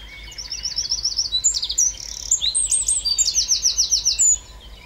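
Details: Eurasian wren in full song, a loud rapid cascade of high trilled phrases, rattles and sharp twittering notes delivered for several seconds without pause, with a faint low hum beneath.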